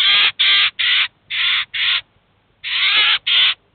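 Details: Eurasian jay and its chicks at a cheese feeder in the city of Kaluga, feeding and being taught: five loud harsh rasps in quick succession, a gap, then two longer grating calls.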